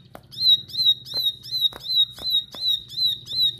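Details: Regular, ringing notes of an insistent bar-winged prinia, evenly spaced about every 0.6 seconds, each with a clear bright tone, over a low background hum and occasional clicks.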